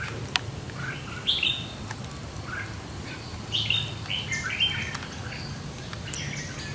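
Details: A decoy Red-whiskered Bulbul, brought out to lure and tame a wild bulbul at a fighting trap in warm sunshine, gives short bright chirpy notes in scattered clusters. A steady low rumble runs throughout.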